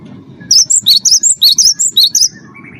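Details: Prize-winning wingko Cinereous tit singing constantly, used as a lure for other birds: roughly ten piercing high notes in a quick, evenly spaced burst, see-sawing between two pitches, followed by a faint lower chirp.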